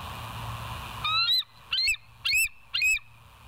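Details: Nest-cam bald eagles at West End, morning of 07/04/2023 at 06:17, giving four strong, high, thin piping notes spaced about half a second apart over a low steady background hum.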